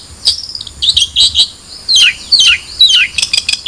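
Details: Long-tailed shrike giving high chirps and then several loud, slurred, downward-sweeping whistles. These are mixed with quick squeaky notes in a lively, irregular phrase.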